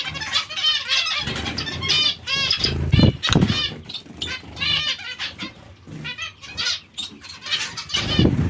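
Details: Dense zebra finch twittering with repeated nasal beeps and buzzy phrases, accompanied by low rustling and thudding noises between the calls.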